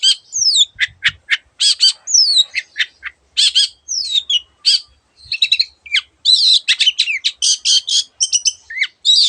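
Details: Long-tailed shrike in energetic mimicking song on a tutor track for birds that rarely sing: a nine-second, almost unbroken stream of sharp whistled downslurs, scratchy chatters and high twittering phrases, delivered fast and varied.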